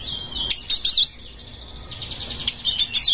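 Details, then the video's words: Oriental magpie-robin singing to seek a rival to fight, a pair of bursts of sharp, high whistled notes and rapid chattering trills, separated by a quiet gap. "CARI LAWAN TARUNG ⚪ RELAKSASI KACER SUSAH BUNYI BIKIN BERKICAU PANJANG"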